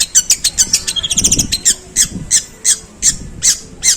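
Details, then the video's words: Long-tailed shrike imitating sparrows with long, coarse phrasing. Harsh, squawky chirps repeat roughly three times a second, with a quick burst of clipped notes near the middle and a faint background thump. "Suara pentet tembakan gerejaan panjang dan kasar"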